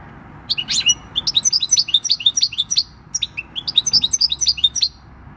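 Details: Wild-stock European goldfinch, six years old, singing field-style song on 26 December 2019: two long phrases of rhythmic, rapidly repeated tinkling notes separated by a short pause.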